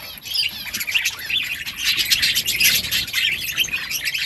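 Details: Continuous budgie warbling: high, bubbling chirps and trills from many birds running together, growing louder through the middle.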